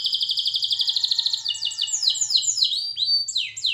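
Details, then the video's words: Canary song for training, a fast even high trill followed by a cascade of sliding downward whistles and rising slurred notes. "Canary Singing Birds Sounds at its best Melodies Canary Bird song Training"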